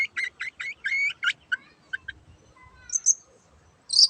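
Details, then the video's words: Long-tailed shrike (cendet) singing vigorously: a quick run of harsh, buzzy chattering notes in the first second and a half, then sparse short chips and a few thin high whistles after quiet gaps. "BURUNG CENDET GACOR YANG BISU JADI BUKA SUARA DAN IKUT BUNYI"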